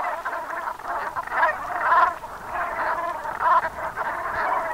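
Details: At sunset on 7 November 2021 in the Gulf of Morbihan, Brittany, a flock of Brent geese keeps up a busy chorus of hoarse, rolling calls, swelling into louder clusters about every second or two.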